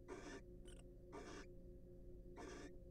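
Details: Wild barn owls in a nest box during preening and courtship: three short, rough hissing bursts and one brief fainter rasp across a few seconds, set against a low mechanical hum.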